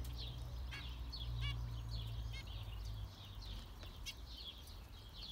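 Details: Several zebra finches call, giving short honking nasal beeps in quick succession within high chattering twitter; a low hum fades after three seconds.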